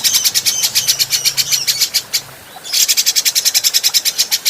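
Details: Adult grey-cheeked bulbul, kept as a training recording for other birds, giving rapid high chattering notes repeated about three times a second. The notes break off briefly mid-phrase, then resume as an even faster run over a faint low hum.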